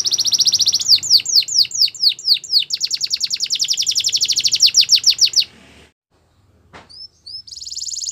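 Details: Canary song: a rapid high trill and a run of falling sweeps, then a pause with one click, and a few short whistles with a buzzy trill at the end.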